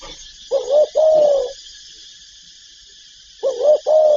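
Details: Spotted dove giving paired low coos, a short note then a longer falling one, twice with a long pause between, over steady high-pitched hiss.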